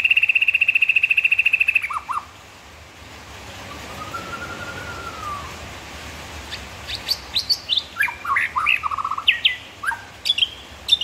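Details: White-rumped shama (murai batu) opening with a fast high buzzy trill, a pause, then a varied burst of sharp chips, downslurs and short whistled phrases.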